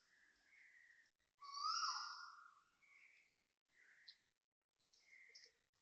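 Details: Asian koel calling loudly at 6:38 am on 5 December 2025 beside a residential block in Toa Payoh, Singapore: one strong drawn-out whistled note that drops slightly in pitch, surrounded by fainter short calls.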